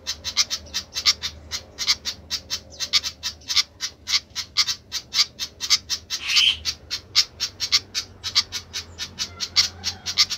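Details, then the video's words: Noisy flycatcher keeping up a dense, rapid chain of sharp, high chip notes for ten seconds, with one harsher squawk partway through and a low hum behind. "ADA APA DENGAN BURUNG SIKATAN INI KOK RIBUT"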